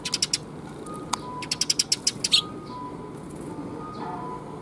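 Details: Several sparrows arriving to be fed at Mizukami Bridge on 26 June 2021 give two quick runs of short, high chirps, then fall mostly quiet apart from faint background hum.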